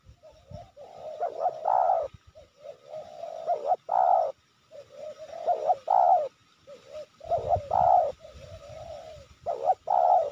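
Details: Wild spotted dove, targeted for its nonstop, full-voiced cooing, lured with decoy birds near Sibolangit, Indonesia; repeated low soft coo phrases roughly every two seconds, each ending in a stronger note, with faint background hum.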